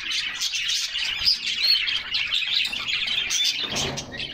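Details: Several canaries bathing on a summer day give bright, busy twittering song with sharp high chirps and short whistled notes overlapping throughout, and a soft splash near the end.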